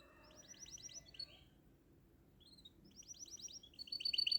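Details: Canary song: rapid trills of short, bright repeated notes, a brief pause midway, then another trill ending in sharp, louder chirps; quiet overall, with faint low background noise.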